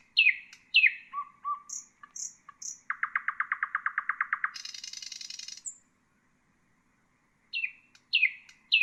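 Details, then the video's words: Common nightingale song meant for tutoring caged songbirds such as bulbuls: sharp downslurred notes, soft whistles, a fast rhythmic run of about twenty identical clicks, then a high buzzy rattle, silence, and more falling notes. "تغريد طائر العندليب"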